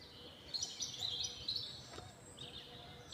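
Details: Birds chirping outdoors, a run of high, rapid twittering notes followed by a shorter chirp burst, over faint background noise.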